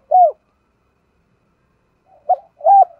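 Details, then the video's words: Spotted dove kept as a decoy to attract wild doves, Hai Hau: one short low arched coo, a pause of about two seconds, then a quieter lead-in and two more coos. "Chim Cu Mồi Hai Hậu , tiếng chim cu gáy kích bổi nhanh nổi"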